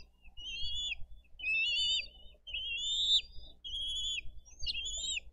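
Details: Dade County bald eagle nest on 22 April 2023, adults bringing fish to feed two eaglets; shrill, trilled whistling calls in five drawn-out bursts, each slightly rising then falling, over faint low hum.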